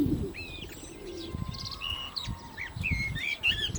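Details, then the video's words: Common blackbird singing during the call to prayer: a run of short fluted, warbled whistles, some rising and some falling, with a low steady drawn tone underneath and a rumble of background noise. "Lovely Black Bird Voice صوت المسوود مع الاذان - طائر المسود مع الاذان"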